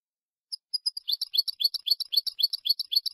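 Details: European goldfinch singing in the Málaga style, a recording used to teach young goldfinches to sing: a fast, regular run of bright, high twittering notes, about four per second, after a short silence.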